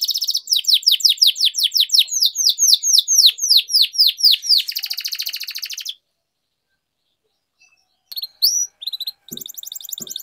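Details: Canary (kenari) singing a long roll for song training: about six seconds of evenly repeated downslurred notes running into a buzzy trill, then silence and a few sharp high notes.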